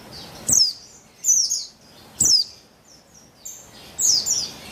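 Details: Lure calls of a female Javan white-eye (buxtoni), 3/8/21, meant to get males singing: five crisp, very high chirp bursts with falling pitch, roughly one per second, and soft background hiss.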